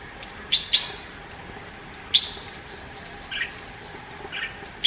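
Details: Red-whiskered bulbul singing, giving short, sharp high chirps and a few softer warbled notes, spaced irregularly over a few seconds against a faint steady background hiss.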